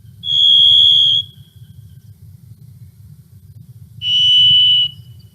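Varied Thrush: two long, steady, slightly buzzy whistled notes about three seconds apart, the second lower than the first, over a faint low hum.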